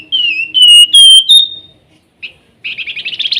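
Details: Flamboyan singing nyiul-style: long, clear whistled notes that waver and slide upward, then a short chip, then a rapid rising trill.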